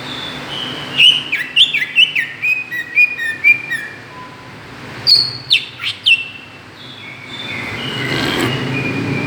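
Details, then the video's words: Greater green leafbird lure sound used to provoke other birds: a run of sharp whistled notes sliding between high and mid pitch, several quick bursts, then a pause and a softer rising-falling hiss-like stretch near the end. "suara pancingan cucak ijo"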